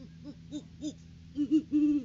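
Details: Great horned owl pair at their nest tree in January, the courting season before February egg laying, seen on a live nest cam; deep hoots in a short series, three evenly spaced then three louder, the last one drawn out.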